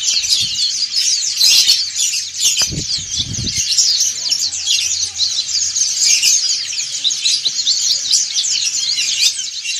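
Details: Dakun and montanus white-eyes sing ngriwik as one group. Lively high twittering and sharp chirps run continuously, with several dull low knocks or thumps early on.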